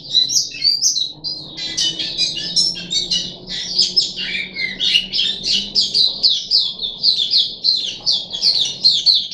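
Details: Puff-backed bulbul kept captive, recorded 14 July 2021 during its third day of deworming: a busy, scratchy chatter of mixed squeaks, chirps and falling whistles over a soft room hum.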